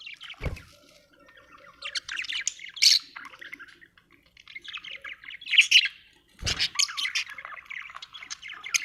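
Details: Happy budgerigar chirping, Australian bird: chattering warble and squeaky notes in phrases, interrupted twice by a low knocking thud.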